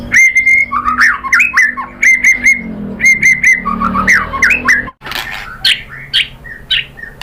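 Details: Lure song of a white-rumped shama meant to draw answers from other birds: repeated clear whistles with twisting slurred notes and clicks, later turning into harsher, higher rising phrases.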